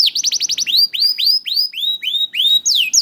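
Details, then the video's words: Juvenile canary song meant to coax silent canaries into singing: quick downward-sweeping notes, then slower rising, hooked whistles repeated roughly four times a second, ending with bright upslurred notes. "PANCINGAN KENARI PAUD TERBUKTI AMPUH MEMANCING KENARI SUSAH BUNYI IKUT GACOR"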